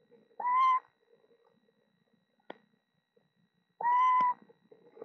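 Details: Eastern Screech Owl at a Florida nest box camera, where a mother broods four owlets hatched between March 31 and April 4. Two steady, level, hollow tones sound about three seconds apart, with a soft click between them, in a quiet box.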